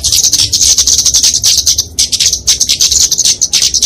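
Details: Kemade, a Dicaeum flowerpecker, giving fighting song to train and lure songbirds: continuous, harsh, very high rapid chatter of sharp chips with hardly any gaps.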